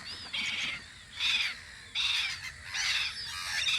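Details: Spring recording on Audru polder at a gull guard post: four bursts of shrill, overlapping cries at fairly even intervals, separated by softer background calling.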